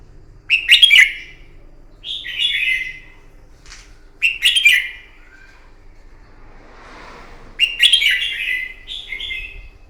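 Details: Red-whiskered bulbul fighting song in the morning, used to train a bird: bright warbled phrases with sharp clicky starts, repeated about every two seconds, separated by short pauses.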